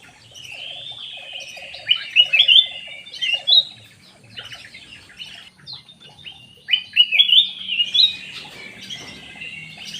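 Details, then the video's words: Lure call of the black-naped oriole, with short squeaky warbled phrases that come in loud bursts separated by softer chatter, and a faint low ticking series early on. "SUARA PANCINGAN KUTILANG EMAS ISTIMEWAH"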